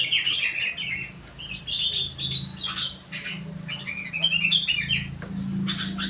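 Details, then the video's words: Sooty-headed bulbul singing a song tutored with rengganis and cucak wilis phrases: short chirpy, warbled bursts of high notes, repeated in clusters every second or two, over a steady low hum. "burung kutilang isian rengganis / cucak wilis"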